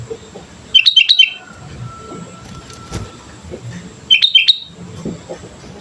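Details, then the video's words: Sooty-headed bulbul singing vigorously, used as a lure to prompt other birds to sing: two loud bursts of quick, bubbly whistled notes, each about half a second long and about three seconds apart, over a quiet low rumble. "pancingan suara burung kutilang gacor"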